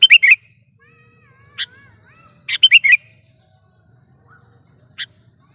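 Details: Sooty-headed bulbul recorded for use as a trapping lure and a tutor recording for other songbirds. Bubbly slurred phrases open and recur midway, with lone sharp chips between them over a faint low hum.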